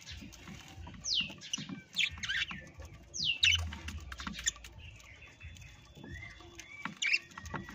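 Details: Parrots calling in sharp, downward-sweeping screechy notes in quick bursts, with chirps and a thin level whistle near the end, over steady rustling and low thumping noise.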